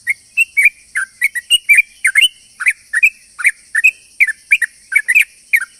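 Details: Rapid, chattering yellow-vented bulbul song used as a lure for wild bulbuls: an unbroken stream of short warbling chirps, several per second, against a persistent high-pitched hum.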